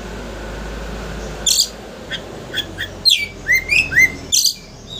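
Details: Oriental magpie-robin singing to provoke a rival into opening its tail: scattered sharp clicks and chips, then four rising whistled notes in quick succession, with a constant low hum behind.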